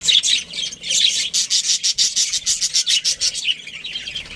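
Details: Budgerigars in a breeding colony chatter nonstop, a dense run of harsh, buzzy chirps repeated several times a second, growing into a steady pulsing rhythm in the second half.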